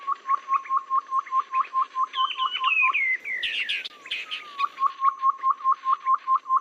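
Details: Trapping lure sound of a babbler, said to be effective in both wet and dry seasons: a long, even train of short upswept whistled notes, broken midway by descending slurred whistles and a burst of high chattering, then the steady repeated notes resume.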